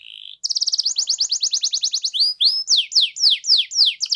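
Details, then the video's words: Canary song starting with a steady whistle, then a rapid train of repeated notes and a string of loud downward-sweeping whistles about four per second. "SUARA BURUNG KENARI GACOR DOR"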